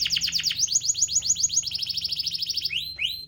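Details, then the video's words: Canary song used as a lure for canaries that are reluctant to sing: a rapid roll of high, repeated sweeping notes, shifting to a faster, tighter trill and ending with a few slower upslurred whistles. "Pancingan suara kenari malas bunyi"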